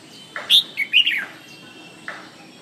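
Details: Red-whiskered bulbul giving a short phrase of sharp, bright whistled chirps with a slurred descending note, then a single softer note after a pause.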